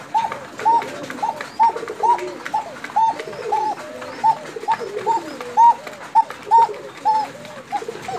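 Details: From Tangail, a Bashiraj koka pigeon repeats a clipped, arching note at a steady pace of roughly one per second, while lower, drawn-out cooing runs beneath it.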